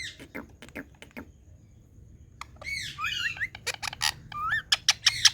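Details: Indian parrot vocalising: after scattered clicks and a pause, a run of wavering, looping squawky syllables and sharp bursts, with low background rumble.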